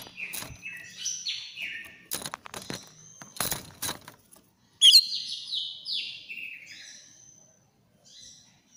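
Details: Agitated, shrill song of a greater green leafbird from Banyuwangi, used to coax a silent bird into singing: stepped buzzy slurs and sharp clicks, a loud piercing note near the middle, then descending buzzy phrases.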